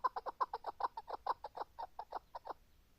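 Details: Rapid, rhythmic chukar partridge chucking: clear repeated mid-pitched notes about six per second, slowing slightly before stopping, in a quiet setting.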